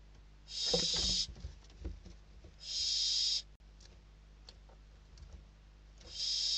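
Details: Barn owl nestlings in Spain fighting for a food delivery; loud hoarse hissing screeches with a gap of about two seconds, interspersed with scuffles and faint clicks.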